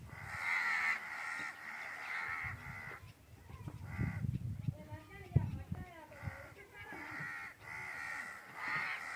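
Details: Crows in the Thar Desert, Sindh, Pakistan, give harsh, raspy caws in runs while a cat hunts insects nearby, with a man's voice talking between the calls.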